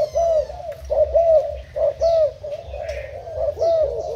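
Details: Decoy spotted dove of Thai stock, 10 April 2018: rounded, mellow coo phrases in short bursts with brief pauses between, plus faint high chirps and a low rumbling hum behind.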